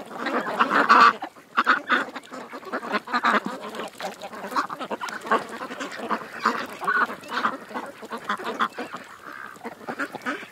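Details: Ducks at a creek: a loud burst of overlapping nasal quacks opens, then a brief lull, followed by a busy run of short, rough calls of varying strength.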